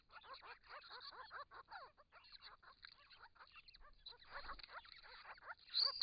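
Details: Grey-crowned Babblers from a wild group of six call back and forth at a pond in regional Victoria, Australia, during hot weather, recorded by a camera trap. A quick series of clear, downward-arched, mewing notes repeats several times a second.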